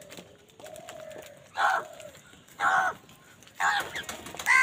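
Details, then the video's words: Crow calling loudly while fighting for food: three harsh, raspy caws, about one second apart. A thin whistled note from another bird comes before them. "কাকের ডাক Crow Sound Crow ki Awaz Loudly | Crow bird Fight for Food"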